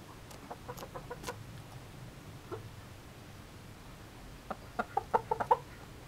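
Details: Yamato Gunkei chicken going through its usual daily routine: scattered soft tapping and pecking noises, then a quick burst of about six short, low clucks near the end.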